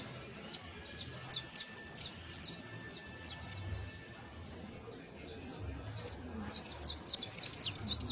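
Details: Saffron finch song used as a tutor for a wild-type canary: quick high chirps and sharp descending notes, loosely spaced, building into denser bursts near the end over low background rumble.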